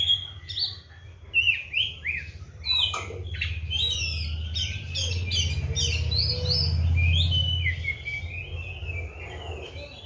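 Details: Oriental magpie-robin, a kept bird fed seven crickets and bathed morning and evening, singing busily: a rapid, varied string of sharp whistled notes, slurs and chirps, some rising, others falling, over a steady low rumbling hum that swells mid-recording.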